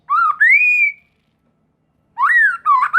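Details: Lure phrases of a white-rumped shama aimed at young birds: two smooth, rising whistles, a second of silence, then another rising slur followed by a wavering whistled note.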